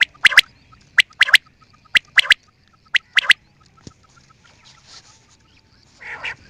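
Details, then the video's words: Quail call series of sharp doubled clicks repeated every second, fading to quiet, faint scratching, then one brief harsh squawk at the end. "New and nice sound of quail"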